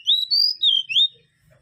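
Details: Mangrove whistler song of four clear, slurred whistles, each rising or falling smoothly, delivered loudly within about a second.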